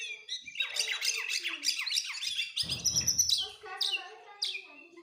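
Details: Varied, high whistled song of an Oriental magpie-robin (kacer), with chirps and descending slurred notes, broken midway by a short burst of rough, broadband noise.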